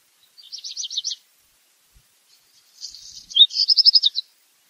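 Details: Black redstart song: a fast rattling phrase of high notes, a pause of over a second, then a scratchy crackling section ending in a rapid run of clipped notes; clean background.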